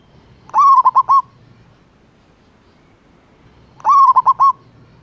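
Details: A male zebra dove calls to a female in the wild, giving its big 'kuk' voice twice, about three seconds apart. Each phrase is one long coo plus three short coos, and the surroundings are otherwise quiet.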